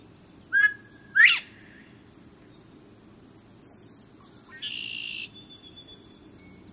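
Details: A male Northern bobwhite calling at Perry's Water Gardens, Franklin, North Carolina, gets no reply and possibly escaped from captivity; clear two-part 'bob-WHITE', a short note then a loud rising one, with red-winged blackbirds faintly chirping afterward.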